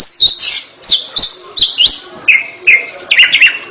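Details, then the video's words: Oriental magpie-robin (kacer) in energetic 'gacor' singing: a fast run of loud, clear whistled notes, each a sharp upward flick followed by a level or bending whistle, repeated roughly every half second. "kacer gacor"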